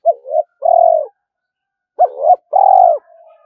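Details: Spotted dove kept as a decoy, calling so that wild doves come to fight. Two matching phrases, each a double coo then a long rough falling note, are separated by about a second of silence.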